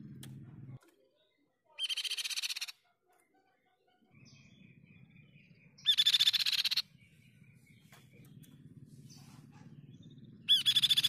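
Crescent-chested Babbler giving dense, buzzy, high trilled bursts about a second long, every four seconds, between faint thin notes over a low steady hum.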